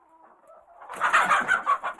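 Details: Excited chickens in a coop: after a near-quiet start, a burst of dense overlapping clucks and squawks from several birds builds quickly and stays loud.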